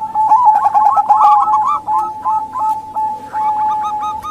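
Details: Female local zebra doves calling to draw males or wild birds. A fast chain of short coos rolls over a held tone, thins to spaced single notes, then quickens again.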